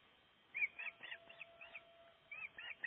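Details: At a nest under construction in Gribskov, Denmark, a breeding osprey gives a string of loud, piping, slightly downslurred whistles in an uneven rhythm, about ten notes in three seconds.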